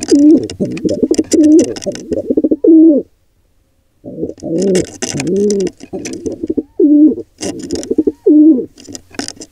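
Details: Low gurgling pigeon coos around a nest where wild birds attack a nestling squab, given in choppy bursts, then a pause of about a second before the throaty, wavering notes resume.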